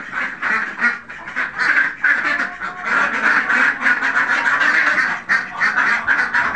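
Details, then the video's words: Group of farmed Khaki Campbell ducks keeping up a continuous raspy quacking, many birds calling at once at around three quacks per second. "khaki campbell ducks farming"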